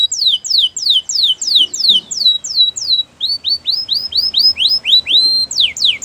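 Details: Canary song for training: a run of descending whistled sweeps, then rising upslurred notes repeated in a rhythmic series, ending with more falling whistles, over a low faint background hum.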